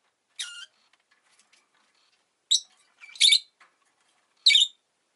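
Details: Abrupt high chirps from a rosy-faced lovebird, a single note followed after two seconds by three rasping calls roughly a second apart.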